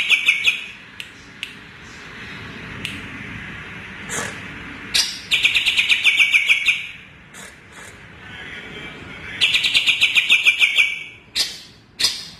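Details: Scattered sharp notes from a greater green leafbird (cucak ijo Kalimantan) lead into two dense bursts of rapid, rasping chirps several seconds apart, with quiet gaps between.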